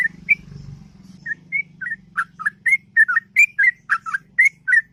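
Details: Morning ngropel song of a sooty-headed bulbul, long and melodious: sparse whistles at first, then quickening bubbly two-note phrases, with a low droning hum in the background.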